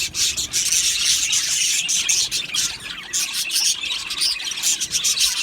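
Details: Many budgies, Australian parrots in an aviary colony, giving busy high-pitched chirping with a few clearer whistled notes standing out above the steady twitter.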